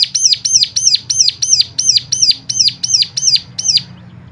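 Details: Rapid high chirps from a bird, used to get other birds singing. About a dozen evenly paced, sharp notes arrive at roughly three per second, then stop, leaving only a faint low hum.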